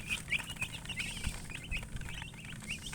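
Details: Young chicks chirping: quick, high, rising peeps in close succession, several birds calling together over faint low rumbling.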